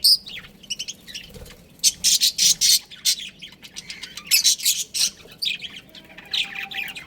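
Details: Budgerigar breeding pair giving a few soft twitters, then loud, rhythmic runs of harsh squawking chirps, each burst pulsing roughly twice a second, before fading into lighter chatter.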